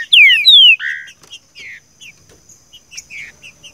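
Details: Green-winged saltator's "seu chico" song, meant for teaching a caged bird: three loud falling whistles and a buzzy low note open the phrase, followed by scattered faint high chips.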